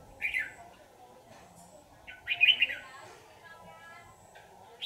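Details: Red-whiskered bulbul during a trapping session, later released; two loud warbled chirpy phrases about two seconds apart, with a buzzy, evenly pulsed sound in between and a steady high whine.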